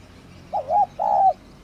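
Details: Part of a spotted dove calling coo, field type kept for rousing decoy doves: a wavering double note then a long smooth level coo, soft and hollow, in a quiet setting.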